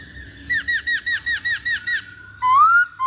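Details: Lure song of a masked laughingthrush: eight quick, evenly spaced, bouncing chirps, then one long, loud, rising whistle and the start of another.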